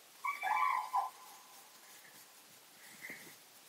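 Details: A common crane in a moor near Hannover, Germany, gives a loud, rolling trumpeted call of about a second, then a fainter answering note two seconds later; the cranes felt disturbed by the observer.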